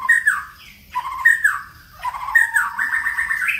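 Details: White-rumped shama singing in many voices: clear whistled phrases, some sliding down, others rising, in three bursts separated by brief pauses, ending on a higher note.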